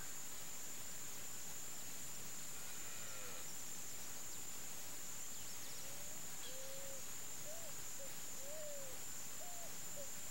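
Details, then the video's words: Picazuro pigeon in Campo Grande, Mato Grosso do Sul, Brazil, giving a series of soft, low cooing notes, some slurred up and down, about one every half second, over a steady high insect drone. "O canto da Asa-branca, Pombão, Patagioenas picazuro, Picazuro Pigeon"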